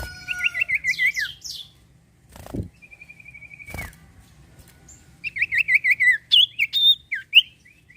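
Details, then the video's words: Iora (sirtu) singing, a recording used as a lure to get other birds singing: a run of wavering, buzzy warbled notes sliding downward, a long steady trill, then a burst of quick rising and falling whistles, with sharp knocks between. "sirtu cipoh gacor mantuap buat pancingan burung bahan & macet bunyi"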